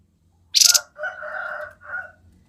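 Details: Grey-headed babbler giving a lively 'konslet' song: a short, harsh high buzzy burst followed by two lower, hoarse warbled phrases, then quiet.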